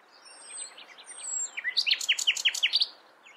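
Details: Common nightingale singing: soft varied twittering notes, then a loud run of sharp descending whistled notes repeated rapidly, about eight in a second and a half.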